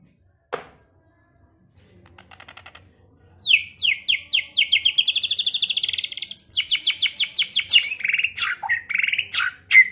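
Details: White-rumped shama (murai batu) song, used as a lure to provoke other shamas to fight and sing: a sharp note, soft chatter, then rapid runs of bright, high, repeated whistled notes and trills that grow louder and more varied.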